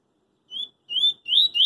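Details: Double-collared seedeater singing in the street: three clear whistled notes, each slightly rising and slurred, the later ones longer and louder, separated by short pauses; no other sounds.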